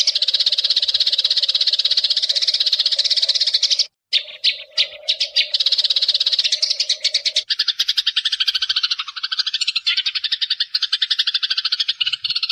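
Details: Long lure recording of wild Eurasian tree sparrows calling their companions. Continuous rapid chirping is cut by a short gap and scattered notes. The later part turns to harsher, lower chatter with a faint hum early on.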